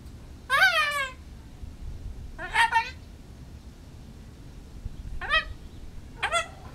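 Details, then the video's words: Pet female Goffin's cockatoo in a backyard, talking to wild birds up in the trees, with speech-like phrases such as hello and I love you. Four harmonic, wavering squawky calls come about every one to two seconds over a low hum. "goffins cockatoo talking to backyard birds"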